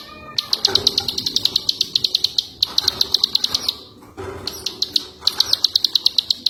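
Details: Ciwah song used to train other birds, fast trains of sharp, high ticking notes in three bursts separated by brief breaks, with faint low knocks underneath.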